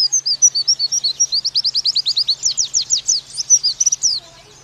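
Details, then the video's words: Training master of an oriental white-eye singing 'nembak': a fast, even series of bright, high, downslurred chirps that speeds slightly before stopping abruptly. "Pleci Bakalan Nembak Pake masteran ini!!!"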